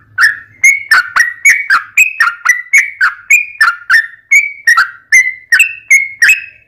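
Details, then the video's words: Rapid whistled song of a sooty-headed bulbul, played as a lure so other bulbuls answer: bright, slightly sliding notes delivered about three per second in an unbroken sequence, with a faint low hum at the start. "SUARA trucukan gacor tarung ROPEL PANJANG pancingan trucukan agar bunyi JADIKAN trucuk gacor NYAUT"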